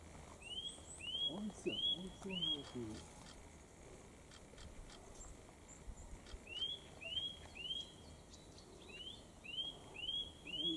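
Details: Eurasian nuthatch singing on Mount Kongō, where many were present: series of clear, rising whistled notes repeated about twice a second in two runs, distant and soft, with a person speaking quietly and faint outdoor noise.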